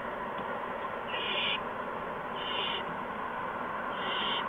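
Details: Owlets at a nest on the evening of March 13, 2015, as mice and a gopher are delivered. Three quieter, airy hisses are spread over a few seconds above a steady background hiss.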